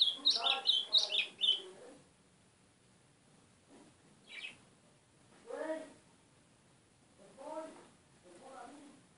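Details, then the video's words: Golinha, the white-throated seedeater, opens with a dense two-second flurry of high twittering notes, followed by spaced, lower, rounder notes repeated every couple of seconds. "GOLINHA CHAMANDO MUITO AZULÃO!!"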